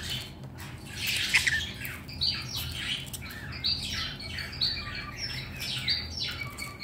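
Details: Pet red-collared lorikeet, happy with its favourite chew balls and its owner home, giving a series of short harsh squawks and chirps every second or so against a quiet indoor background.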